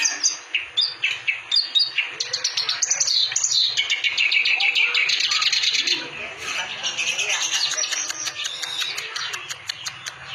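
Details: Clamorous reed warbler singing energetically: loud chattering phrases and whistles, a dense harsh middle run, then rapid ticking notes repeated several times a second, with faint low voices in the background.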